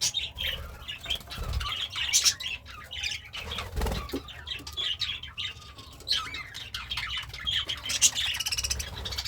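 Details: Happy budgerigar kept as a pet and eating greens makes jumbled high chirps and chatter, mixed with soft rustling and a couple of low thuds.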